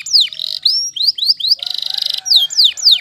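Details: Waterslager canary singing: loud, high whistled notes sweeping steeply downward, repeated several times, broken by a fast buzzy trill of about twenty even pulses lasting over half a second, then more falling sweeps. No other sounds.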